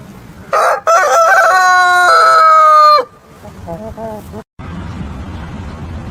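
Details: Morning crow of a rooster: a sharp rising start flowing into a long, steady, ringing note of about two seconds that ends abruptly, then soft low clucks over background noise.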